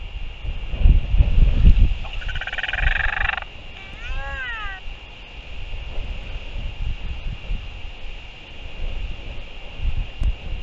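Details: Sky calls from royal albatross adults greeting each other as the mother feeds her chick, New Zealand, afternoon of 24 February 2023. A harsh, buzzy burst gives way to a wavering rising-and-falling note, over gusty wind rumble and a steady tone.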